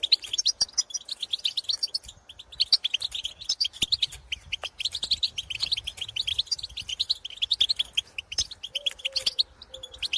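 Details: In open country, European goldfinches call to others of their species, a dense run of jingling twitters and pitorreo trills that barely pauses, with a few sharp ticks and a faint low rumble.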